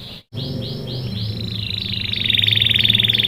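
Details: Canary singing as a lure for young canaries: after a brief gap, a series of soft down-slurred notes merges into a fast, high, pulsing trill, with low hum underneath.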